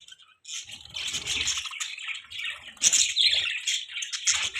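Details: Budgerigars chirping in the morning: dense, overlapping high twittering and chattering in rapid bursts, with brief squawky notes and short pauses between flurries.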